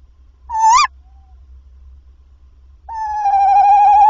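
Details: Tawny owl calling at the nest around 21:50 as the male arrives with a mouse: one short rising shrill note, then after a pause a long wavering, sustained tonal cry.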